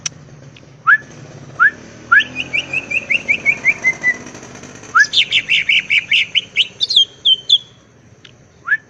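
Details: Cucak ijo (greater green leafbird) in full gacor song, recorded as masteran for training songbirds: scattered sharp upslurred whistles, then a quick run of descending trilled notes, and later a loud, dense burst of high chattering, whistled phrases.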